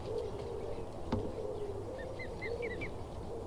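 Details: Swan cygnet on Newsham Burn Pond, Blyth, on a pleasant 6 June day: a short run of thin, high chirping peeps, about six notes in quick succession in the second half, over a steady low hum and faint background noise.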